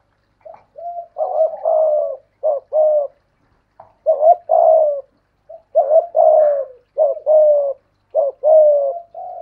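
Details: Caged decoy spotted dove answering a wild dove in a cooing contest: clusters of short and long husky coo notes, a pause near three seconds, then dense bursts of cooing resuming.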